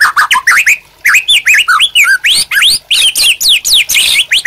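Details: White-rumped shama kept for training other captive birds, singing loudly and continuously: dense varied whistled phrases with fast upward and downward sweeps, many notes high-pitched, broken by one short pause.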